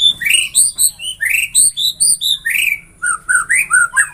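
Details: White-rumped shama song, a sound meant to get any shama singing vigorously: quick run of loud whistled and slurred notes, rising phrases repeated roughly three times a second, with sharp high chips over them and a short pause near the end.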